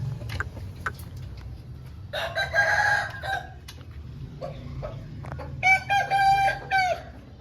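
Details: Home-bred Aseel rooster giving two crows amid steady low background noise: a rough, wavering crow first, then a clearer drawn-out crow with stepped, level notes near the end.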